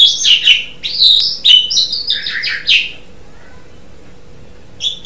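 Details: Asian pied starling, known locally as jalak suren, sung as training material for songbirds: a rapid string of loud whistled and buzzy notes with sharp upward sweeps, then a pause and a brief note at the end.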